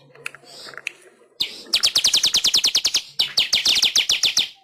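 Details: Master song of a pet weaver for training captive birds: a few soft chips, then fast dry ticking notes repeated several times a second in two bursts, with a buzzy high edge.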